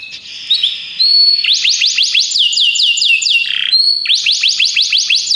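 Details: High whistled notes from Belgian canaries, followed by rhythmic series of falling chirps at a steady fast pace, broken briefly by a lower buzzy note.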